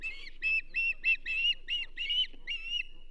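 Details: Osprey calling at the Charlo nest during a whole whitefish delivery to the banded female, 27 April 2024. Eight piercing whistled notes, some drawn out and slightly rising, spaced irregularly over three seconds.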